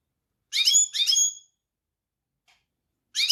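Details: European goldfinch singing: two bright, harmonic-rich twittering phrases close together, a pause, then a third phrase begins at the end. No other sounds.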